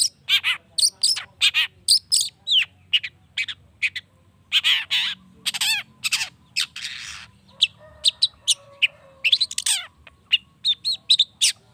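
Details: Long-tailed shrike singing to provoke rival shrikes into song: a long, busy sequence of grating squawks, scratchy trills and quick clipped notes, delivered in rapid clusters with short silences between them.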